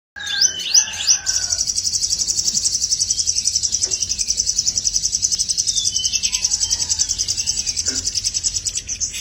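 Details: Tame caged sogon (sepah raja) singing actively: a few quick upward-sweeping notes, then a long, high, fast trill of sharp pulses, about three or four per second, held steady for several seconds.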